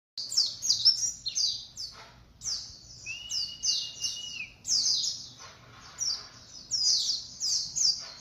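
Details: Young white-eye, three months old, beginning to sing: bursts of rapid, high, thin twittering chirps, with one long, level whistle drawn out in the middle.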